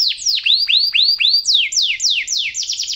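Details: Canary singing for young canaries to imitate: rising hooked whistles, then downslurred sweeps and a quick closing burst of short notes.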